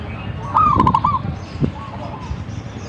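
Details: Zebra dove singing actively: one cooing phrase, a rising opening note followed by a quick run of four or five beaded, bubbling coos, over low rumbling background noise.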